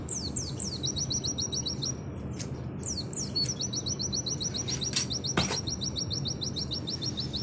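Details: Oriental white-eye in gacor 'nembak sejalur' style, used as a tutor recording: high descending whistled slurs open each phrase, then long rapid even trills of sharp notes, over a steady low rumble of background noise.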